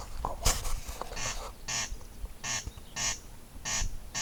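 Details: Corncrake calling: dry, rasping, broadband notes given in paired 'crex crex' bursts, each pair about half a second apart and repeated steadily, over a low rumbling background.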